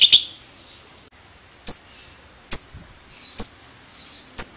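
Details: Lovebird giving sparse 'ngetik' notes: sharp, high, clipped ticks that drop quickly in pitch, spaced about one second apart over quiet background.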